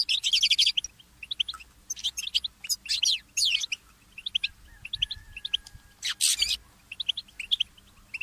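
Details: Goldfinch mule, a goldfinch hybrid, singing in the early morning: rapid bursts of high, thin twittering and tinkling notes with buzzy trills, broken by short pauses, and a brief soft whistle near the middle.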